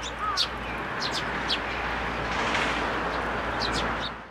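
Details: Juvenile sparrows coming to a plum tree at a Tenmangu shrine to be fed, 26 May 2024; bright chirps in loose bursts at the start and end, separated by a stretch of broad rushing noise.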